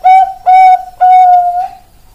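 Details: Bangkok-type zebra dove giving three loud cooing notes. Two are short and level, and the third is a long, drawn-out coo that slowly slides down and fades away.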